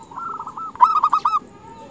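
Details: Female zebra dove calling males: one loud, fast rolling series of about six clipped, bubbling coo notes, preceded by quieter cooing in the background.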